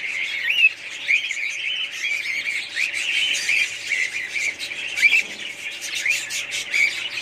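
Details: A family group of budgerigars gives continuous squawky, wavering warbles and chirps, with one louder rising note standing out around the fifth second amid the general chatter.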